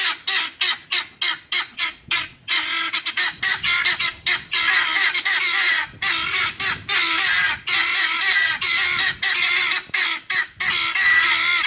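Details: Guineafowl flock kept up all weekend near a police dog. A quick series of short, sharp, even-spaced harsh notes gives way to a long, continuous, raucous chorus of grating, buzzy rattles from several birds.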